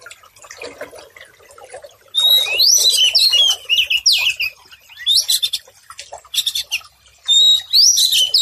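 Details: Tutor song of a white-rumped shama, played for stressed birds that have stopped singing: loud bursts of high whistles mixed with harsh, rapid chatter, repeated in several phrases with short pauses.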